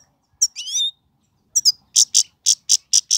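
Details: A Himalayan goldfinch from Pakistan, possibly a trained bird, sings a quick liquid twitter, then a string of about eight bright, sharp chirps, roughly four per second. No other sounds.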